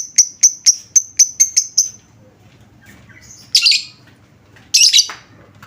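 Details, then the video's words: Lovebird lure sound intended to make any lovebird answer: eight crisp high chirps in a fast even row, a pause, then two rasping, buzzy screeches. "Apapun jenis Lovebird mu, pasti langsung nyaut seketika dengar suara pancingan ini"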